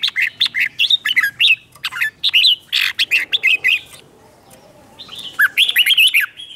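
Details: Wild-caught red-whiskered bulbul singing competitively to provoke other birds: loud, clear whistled phrases rising and falling in rapid bursts, a pause near the middle, then a fresh run of warbled notes.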